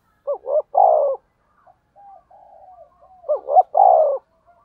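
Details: Spotted dove giving fast rustic 'thúc gù' decoy coos. Two phrases, each of two quick clipped notes and then a drawn-out descending coo, are separated by a pause with faint distant cooing.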